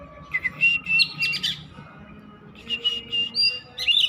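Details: Oriental magpie-robin, said to sing without stopping, gives two short bursts of high chirping, whistled phrases split by a quiet pause of about a second.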